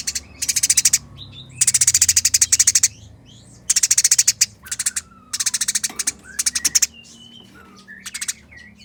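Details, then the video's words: Clear, fast and coarse fighting chatter from Eurasian tree sparrows, given in bursts of tightly packed buzzy notes. Thin whistled squeaks scatter between the bursts. "Burung Gereja Tarung Nyerecet Kasaran Speed Rapat Suara Jernih"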